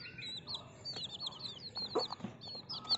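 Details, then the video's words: Baby chickens cheeping softly, thin high downward-slurred peeps running together in a continuous chorus, with a couple of brief low thuds. "Cute Baby Chicken Sounds"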